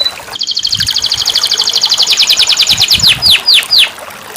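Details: Canary singing, used as therapy for a canary gone silent: a long rapid buzzy trill of repeated notes that slows near the end into three loud, sweeping downslurred whistles.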